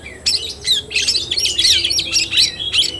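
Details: Oriental magpie-robin, fighting-style kacer tarung, 17 August 2021: harsh, squawky chattering bursts interleaved with sharp whistled slurs, delivered in quick repeated clusters.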